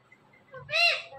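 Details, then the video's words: A talking pet parrot, one of two, speaks a short word: a faint lead note, then a strong, buzzy, arching syllable, with a low murmur underneath. "Two talking parrots have conservation"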